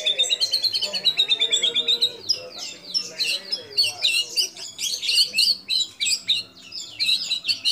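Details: Captive white-rumped shama in full, persistent song, its repertoire filled with imitations of sooty-headed bulbul, cililin, lovebird and canary, used to train other shamas: dense run of high, rapid twittering notes, then sharp descending slurred phrases packed tightly together.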